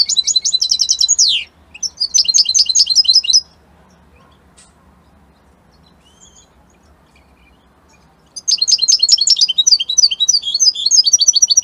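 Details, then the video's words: Italian goldfinch singing in two bursts: rattling trills ending in a falling slur and a twittering phrase, several seconds of near silence, then another long run of rapid jangling chirps. "ITALIAمن أقوى تغاريد طائر الحسون الجميلة الحسون ايطاليا"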